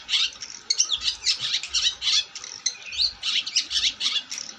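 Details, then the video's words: Long-tailed shrike singing actively: a dense, continuous stream of harsh, scratchy notes and squawks, delivered in rapid bursts with short pauses between them. "Burung cendet gacor"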